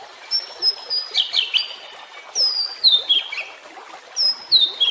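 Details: White-rumped shama song for training caged birds: very high thin whistles sliding downward, given in spaced phrases with brief pauses between them.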